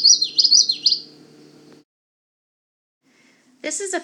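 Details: A male Common Yellowthroat at a wetland in Manchester Cedar Swamp Preserve, southern New Hampshire, sings in late spring, "whichety witchedy witchedy": three quick, bright, rolling phrases in under two seconds, over a low steady hum, then a pause and a person beginning to speak.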